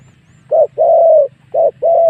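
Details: A spotted dove coos as a lure meant to bring wild doves in for a fight. Two phrases are heard, each a brief coo followed by a long, steady, mellow note.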